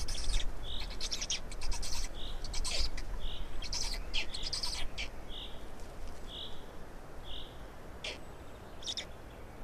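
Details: Black storks feeding, Estonia, 16 May 2019 at 12:47: a steady run of short breathy notes, roughly one every second, under dense clicking that fades toward the end.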